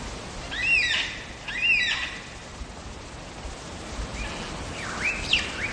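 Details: Wild lyrebird in Megalong Valley, Blue Mountains, Australia, giving two arching whistled phrases about a second apart, followed by quieter swooping and rising notes against constant background noise.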